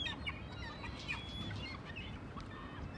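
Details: Japanese port scene at Choshi, 11 March: gulls utter brief, strident mewing cries in rapid overlapping succession against a low rumbling backdrop.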